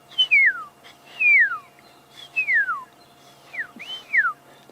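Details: Magpie shrikes heard off to the left on a sunset game drive at Djuma, near a water hole, giving clear liquid whistles sliding downward about one per second, faint low hum behind.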